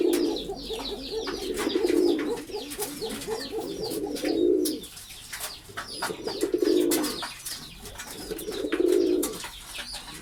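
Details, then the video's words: Kept pigeons cooing, a pigeon-keeping setting: low, rolling, throbbing coos in long bursts separated by short pauses, with faint chirps of smaller birds and clicking noises overhead in a small indoor space. "Pigeon Sound Effect || কবুতরের ডাক"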